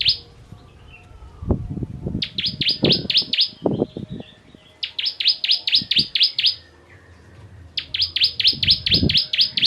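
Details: Ciblek, the bar-winged prinia, in a 'tembakan pedas' song for tutoring songbirds: three separate bursts of quick, high, falling chips, each about a second long, with low thumps and knocks sounding between them.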